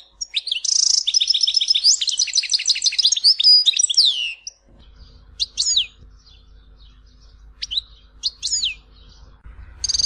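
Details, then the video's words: European goldfinch, Tizi Ouzou song style from Algeria: an opening stretch of rapid, rattling trilled notes, then sparse, separate high chirps and slurred whistles with quiet gaps, and a faint low hum. "تغريد حسون تيزي وزو (كامل المقامات)"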